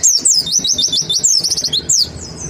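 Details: Dense white-eye 'nembak' singing used as a lure to trigger song: an unbroken flurry of high, quick rising-and-falling whistled notes for two seconds before stopping.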